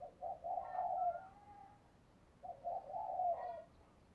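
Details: Decoy spotted dove calling to draw in wild doves: two soft, mellow, drawn-out cooing phrases over a steady background hiss.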